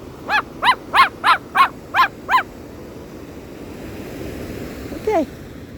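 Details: Pet Moluccan cockatoo beside Bow Falls in the Rockies: seven loud, harsh, repeated honking calls spaced about a third of a second apart, then falling water noise and a short human voice.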